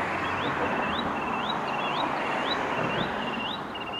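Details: A Spotted sandpiper, recorded in May at St-Ephrem de Beauce, gives a series of high, thin upslurred whistled notes, about two per second, over a steady rushing background of wind or water.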